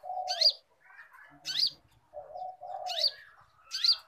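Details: Konin song recorded for training cage birds. A steady back-and-forth of low, drawn-out warbles and high whistled upswoops, four whistles in four seconds.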